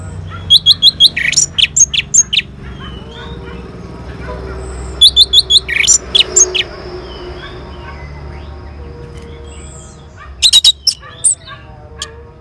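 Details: Orange-headed thrush from Singaraja, North Bali, singing in reply to a lure: three clusters of short, sharp, high notes in quick series, separated by long quieter gaps with soft background murmur.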